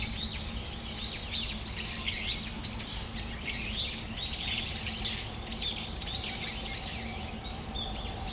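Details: A loud chorus of Brown-eared bulbuls, Tamagawadai Park, December afternoon: dense runs of shrill arched chirps from many birds, rising and falling in rapid overlapping series, over a faint low hum.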